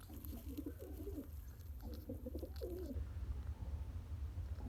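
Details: Pigeon father feeding a one-day-old chick by pumping; about three seconds of low, throaty, harmonic cooing bursts, then quieter rumbling background.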